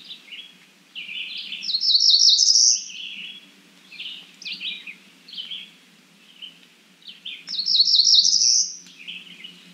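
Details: Cerulean warbler: two buzzy phrases of quick notes climbing to a high, rapid buzzing trill, about six seconds apart, with softer chipping notes between them and a steady low hum underneath.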